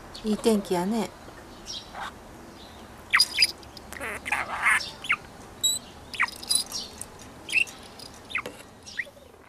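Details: Three-year-old male pet budgerigar in Mie Prefecture, Japan, sunbathing happily and speaking in Kansai dialect learned from its owners: warbling, speech-like chattered phrases mixed with sharp high chirps and squeaks in uneven bursts.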